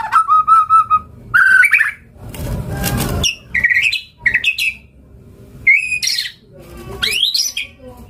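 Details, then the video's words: Murai batu, or white-rumped shama, giving loud clear whistles, some steady and some rising, between bursts of broadband noise and brief pauses. "Masteran Suara Burung Murai Gacor Full Isian"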